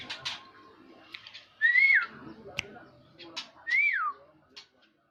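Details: Orange-headed thrush, teler classic song style: two loud, clear whistles, each rising briefly then sliding down, about two seconds apart, with soft chirps and clicks between.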